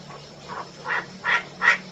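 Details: Harsh calls of a female Chinese francolin, a series of short raspy notes repeated about every third of a second and growing louder, over a faint low hum.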